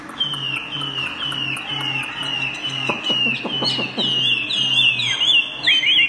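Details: Caged Chinese hwamei singing to its own reflection in a mirror because no rival bird is at home: repeated clear whistled phrases, sliding downward, with a pulsing low hum and a burst of clicks midway.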